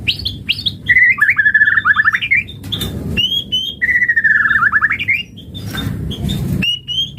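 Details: White-rumped shama song for coaxing other birds to sing: high whistles followed by long fluttering warbled runs that slide downward, a repeated pattern, and sustained clear notes, over low hum and a brief noise burst.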